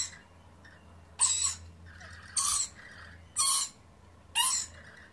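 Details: Lorikeet parents and their young eating pear give four harsh, grating screeches, each about half a second long, roughly one a second, over a faint low hum.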